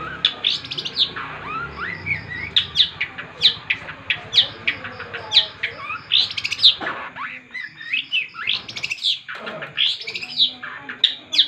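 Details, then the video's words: A long-tailed shrike in full, intense song gives a nonstop, varied chatter of sharp high notes, squeaky whistles and scratchy phrases in quick bursts, with a faint low hum at first. "cendet gacor ga ada ampun"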